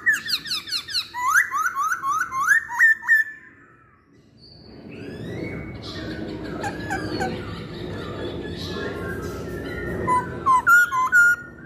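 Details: Masked laughingthrush in a pancingan (lure) recording, giving a rapid run of loud, slurred whistled notes for three seconds, then a quieter, noisier passage with scattered chirps and a few final sharp notes.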